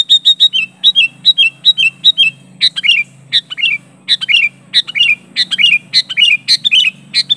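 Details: A sooty-headed bulbul pressing a rival with natural calls: a rapid opening string of clear whistled notes dropping in pitch, then dense repeated chirp bursts with slurred downward endings several times a second.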